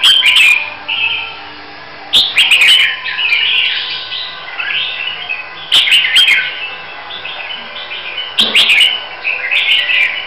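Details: Huế red-whiskered bulbul, prepared for a singing competition, gives loud chattering warbled phrases in bursts every few seconds, with sharp clicking noises and background hiss.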